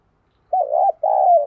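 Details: Spotted dove serving as a lure for wild doves: one undulating coo, then a sustained rolling coo that sinks slightly at its close. The recording is otherwise silent.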